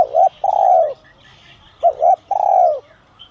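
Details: Spotted dove ('giọng son' voice) calling to draw in wild birds: a long falling coo, then a fresh phrase of two clipped coos and another sustained, gently descending coo. Soft chirping is heard behind.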